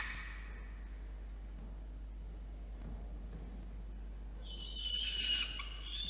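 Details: Peregrine falcon chick begging as the adult male brings dinner to a nest box atop a water tower in Orange, NSW, Australia, 8:56 PM, 5 November 2021; a brief scream, then loud harsh, harmonic screaming near the end.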